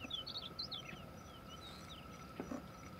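Chinese rubythroat singing a quick, varied run of high, thin whistles and twitters, fading after the first second, over steady background hum and low rumble.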